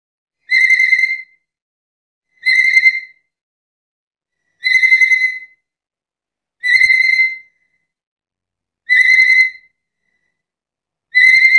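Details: Black-capped lory repeating a short clear whistle roughly every two seconds, six times in a fairly steady rhythm, each note flat and bright with no other sounds.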